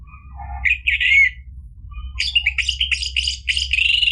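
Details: Orange-headed thrush in full, energetic song, played as a lure to provoke a silent bird into answering and singing. Two bursts of fast, varied, high chattering phrases, the second longer and busier, with faint softer notes before.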